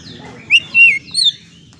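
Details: White-rumped shama, a lure recording played to make stressed birds sing: three short whistled phrases, a rising note, a longer wavering whistle and a higher slurred note, over a low steady background hum.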